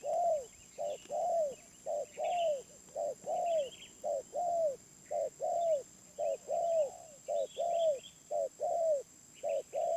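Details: Wild spotted dove with a medium-pitched voice, cooing steadily: paired short and long hollow hoots repeated in a regular rhythm, with small birds twittering softly in the background.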